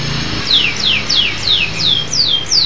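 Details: Local canary singing slow, clear descending whistled sweeps, about one every third of a second, seven in a row.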